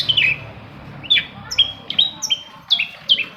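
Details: A long-tailed shrike pours out a quick string of whistled slurs, some rising and some falling. The song serves as a lure to start silent shrikes singing.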